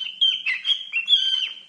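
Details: Pet cockatiel indoors, talking: a warbling run of clear, whistled notes held around one steady pitch, broken by short rising and falling slurs, with no other sounds.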